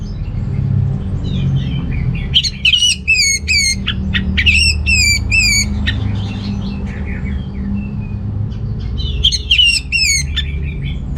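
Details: Orange-headed thrush in lively song, aimed at stimulating males lacking breeding drive: bursts of rapid, descending high notes repeated in quick series, two main bouts with softer chirping between, over low rumbling background noise.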